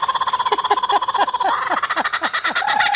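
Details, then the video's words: A captive laughing kookaburra from Australia laughs on cue indoors after people roll their R's, giving its territorial call: rapid repeated hooting notes that start steady, then break into a loud, chaotic cackling chorus. "So they have a very distinctive territorial call."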